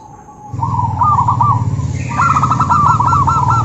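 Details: Zebra dove calling to goad other doves into replying; two phrases of rapid bubbling coos, the second louder and longer, over a strong low rumbling hum.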